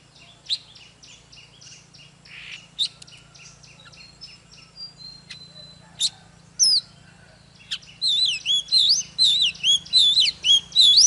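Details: Oriental magpie-robin song used to provoke intense singing: faint scattered notes over a steady low hum at first, then loud, rapid, twisting whistled slurs repeated in a fast run during the last three seconds.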